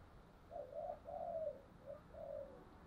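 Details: Spotted dove decoy bird for training: soft, distant cooing of several short notes and a longer falling coo, heard through background hiss.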